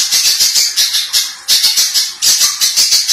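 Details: Little spiderhunter song, harsh and tightly packed. It pours out a continuous rattling string of high, scratchy buzzes that pulse several times a second without a break.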